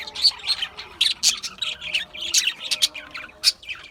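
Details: Budgies chirping in a lively run of quick, high twittering notes and squeaks, steady bursts of chatter coming several times a second.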